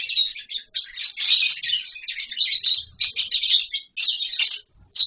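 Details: Lovebirds in a colony setup with nest boxes and mud bowls: continuous dense, shrill chattering from many birds, in steady bursts with brief gaps.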